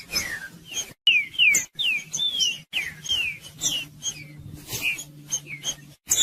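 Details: Green-winged saltator (trinca-ferro) in the 'Judas' song style, used to stir a quiet bird into singing; loud, clear whistled notes sliding downward, repeated rapidly almost three per second, with short abrupt silent breaks and a faint low hum.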